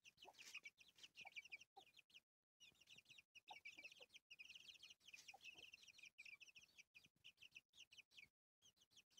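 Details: A mother hen with her chicks on a farm: continuous high-pitched peeping from a group of chicks, with occasional faint low clucks and repeated short silent breaks.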